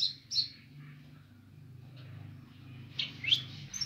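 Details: Streaked spiderhunter singing actively: a few sharp, high chipped notes near the start, then a pause before a burst of rising high squeaky notes at the end, over a steady low hum.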